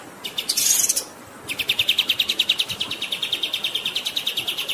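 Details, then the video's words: Kapas tembak songbird in a masteran recording made as a singing model for contest or home birds, set over running water: a brief harsh buzzy burst, a pause, then a long even series of rapid high chirped notes. "MASTERAN KAPAS TEMBAK GACOR Ngerol Durasi Panjang"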